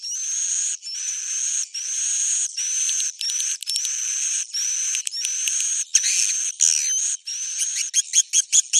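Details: Swiftlet roosting call in the Bhayangkari style: harsh, buzzy bursts of about a second, each topped by a thin rising whistle, repeating with short gaps and breaking into quick clipped chirps near the end.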